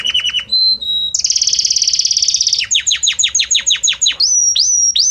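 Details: Belgian canary song with many different notes gliding one into another: a quick rapid-note opening, a brief pure whistle, a long rolling trill, then a series of steep downward-swept notes and three rising high whistles at the end.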